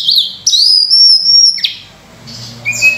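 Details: Sunda robin delivering a long, bright held whistle that rises slightly, then drops away, followed by a short quiet gap and a brief new note; the song is used as a lure for other birds.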